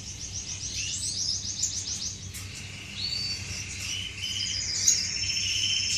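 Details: Courting finches in an aviary on 10 May 2015: a fast series of evenly repeated high chips, then a sustained buzzy trill and thin whistles, with a low hum behind.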